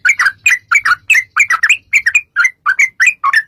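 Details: Sooty-headed bulbul, lure meant to make bulbuls respond: quick chattering string of rich, gurgling two-part chirps, roughly four per second, over a faint low hum.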